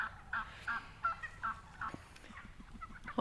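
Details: Wild turkeys at a golf course in Redding, California, putting on a display before flying up into trees; short raspy yelps come in a steady series about every third of a second, then scattered fainter notes and rustling.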